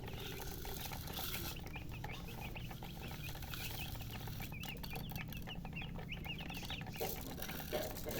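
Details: Baby chickens, colour chicks, chirping out of thirst for drinking water: a steady stream of high, thin, downslurred peeps repeated rapidly through the middle, over a constant low background hum.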